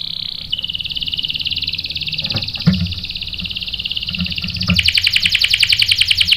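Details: Canary singing as bait for a male: a long steady high trill with a few soft knocks in the middle, then a brighter, louder pulsing roll.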